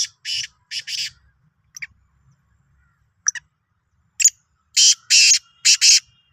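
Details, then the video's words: Rasping, buzzy call of a Sindhi black francolin, dated 16 March 2023: paired harsh notes, two thin clicks, then a loud grating phrase of four bursts. "Kala Teetar ki Awaz"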